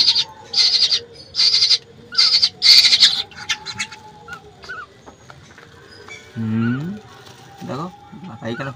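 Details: Home-raised baby birds at night feeding: five rasping, hissing begging calls in the first three seconds, then quieter chirps, a woman speaking, and a short low tonal sound near the end.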